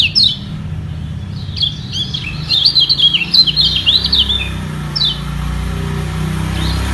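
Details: Singing white-eye defending its top position in a vocal battle: an isolated chirp, then a tight burst of rapid high warbling notes, followed by a few lone calls amid low background rumble.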